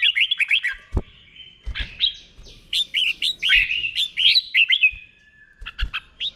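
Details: Caged red-whiskered bulbul song used for training other caged birds to copy, with a slow, clear doubled phrasing; bright whistled notes rising and falling in quick bursts, with brief pauses between phrases and a few low knocks.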